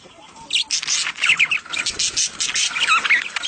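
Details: Budgerigars calling during mating, meant to encourage egg laying; steady high warbled chatter with squeaky whistled chirps, beginning after a quiet half second.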